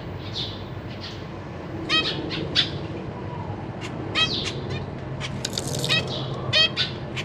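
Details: Zebra finch adults tending three juveniles and three fledged chicks inside a cage, 14 April 2023. Scattered nasal, buzzy calls and descending thin notes, sparse at first, busier toward the end, over low background hum.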